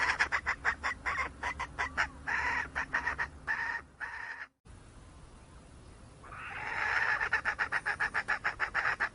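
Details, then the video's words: Wild red junglefowl hen, a rapid series of sharp clucks about two per second, a brief pause, then a second clucking run over a hissing, noisy background. "Suab poj qaib qus seev zoo kaw.. Tiến gà rừng"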